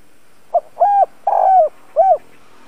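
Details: Lure spotted dove kept to attract wild birds, delivering a brief opening note followed by three low, bowed cooing notes, the middle one longest and slightly quavering, with no other sounds.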